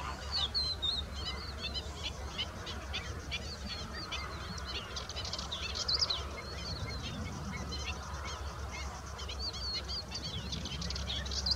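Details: Pied avocet with chicks: a dense run of short, sharp, high calls repeated steadily for the whole stretch, several birds overlapping, over a constant low rumbling background.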